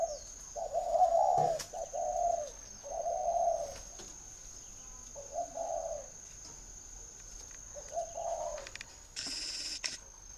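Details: Kept spotted dove in Ba Vì district, Hanoi, Vietnam, repeating mellow, throaty coo phrases of two or three notes separated by short pauses, with a brief hiss burst near the end and a constant thin high tone.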